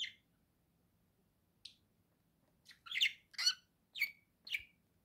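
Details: Domestic budgie calling in a few loud, harsh, squawking chirps spaced about half a second apart, over a faint low hum.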